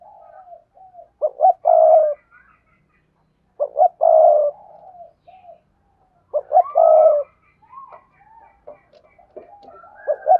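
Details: Spotted dove calling to attract wild doves: three hoot-and-coo phrases, about 25 per minute, each short rising notes then a long coo, with softer murmuring coos and higher bird notes between them.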